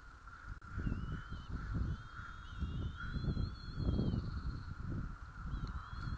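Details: Bald eagle eaglets at a morning feeding in White Rock, 06:15 on 06 04, give thin, high, wavering whistles in drawn-out strings with brief gaps, over gusty wind noise.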